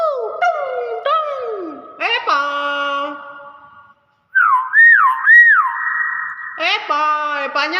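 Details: Nias hill myna mixing harsh, nasal, speech-like sounds with a pair of looping, wavy whistles, then more buzzy voice-like notes, in a room.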